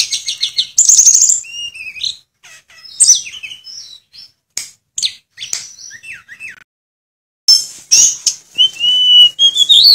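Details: Tledekan, also known as Sulingan, a mimic of other birds' notes, giving scattered high chirps, slurred whistles and short sweeping notes, separated by clear gaps and a near-silent stretch before a final whistled phrase.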